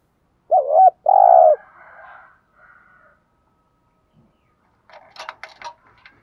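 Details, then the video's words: Decoy spotted dove used for training new birds gives one loud coo phrase of two rolling notes, followed by faint murmurs and a brief burst of distant chirping near the end. "tiếng chiêm cu gáy luyện bổi mới"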